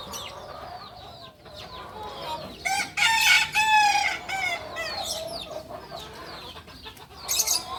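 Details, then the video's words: Kukuak balenggek rooster, Solok, West Sumatra, sounds a loud crow in rapid stepped, stuttering segments lasting over a second, amid constant thin chirps from other birds and a later short burst. "Ayam kukuak balenggek asli solok sumbar"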